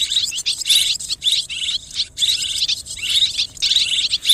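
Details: Mixed swiftlet calling used as a lure for swiftlets; loud, high, rasping twittered bursts pulsing in quick succession with brief gaps, no other sounds.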